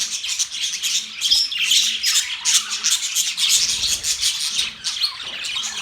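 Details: Many budgies chattering: rapid, uneven bursts of scratchy chirps and squawky notes, about two or three per second, piled into a dense high chorus with faint low hums beneath.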